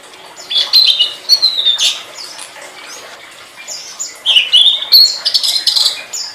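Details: Tledekan master song: quick, jumbled, high twittering phrases with a few brighter whistled slurs, in two bursts separated by a quieter pause.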